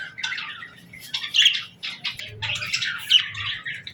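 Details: Happy parakeet chirping and singing in the morning: two bursts of busy, scratchy warbled chatter separated by a short quieter pause, with clear high squeaky notes inside each burst.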